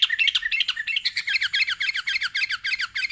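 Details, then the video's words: Sooty-headed bulbul (kutilang), sung in the chatty 'gacor' style: a fast, steady run of bright, clipped chirps, about four per second, each note dipping and rising, with a soft low rumble beneath. "BURUNG KUTILANG GACOR"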